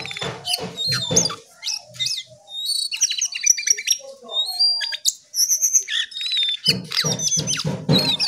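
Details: Lesser shortwing chattering: clusters of high, sharp whistles and buzzy trills, some quick upward sweeps, with a quieter stretch mid-phrase before another dense, loud burst.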